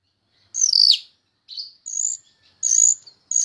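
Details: Myna in full song, used as a tutor recording for other songbirds: a falling squeal, then several short harsh high-pitched buzzes separated by brief pauses.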